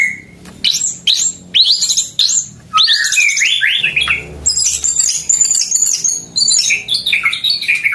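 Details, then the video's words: Caged white-rumped shama singing loudly at full volume: rapid varied phrases of high whistled sweeps, rising and falling notes and chattery trills, almost continuous, with a faint low hum beneath. "Gaya sujud, materi volume mantep"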